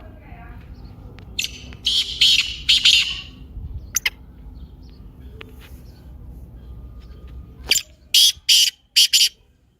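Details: Black francolin calls in two bouts: a first run of rasping, grating notes, then after a pause a second crisp series of four or five loud harsh bursts, with a low hum underneath.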